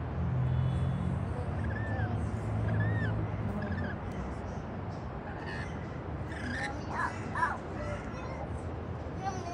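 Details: Rainbow lorikeets eating white bread on a patio give short, shrill, arched screeches. A few are faint early on, then a cluster of sharper calls comes near the end, over a steady low hum.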